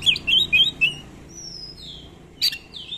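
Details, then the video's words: Kacer, the Oriental magpie-robin, in a training lure with long rolls and filler songs: four quick bright whistled notes, a pause with thin faint whistles, then a sharp burst and a downslurred note. "Pancingan Kacer Gacor ROLL Panjang-Panjang, Dan Lagu Isian Banyak, Cocok Buat Masteran Kacer Anda."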